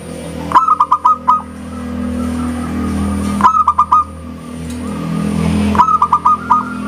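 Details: Local zebra dove singing hard: three short bursts of five to six quick coos each, about every two and a half seconds, over a loud engine-like rumble.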